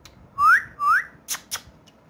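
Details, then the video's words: Pet talking parrot that speaks Urdu/Hindi, kept indoors: two loud rising whistles in quick succession, each sweeping upward, then two short sharp clicks. "So Funny And So Playful Talking Parrot"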